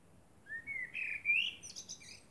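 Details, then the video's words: A common blackbird sings at night under the moon: a long, mellow whistle sliding upward into a brief, high, squeaky twittering ending. "Blackbird sings under the moon"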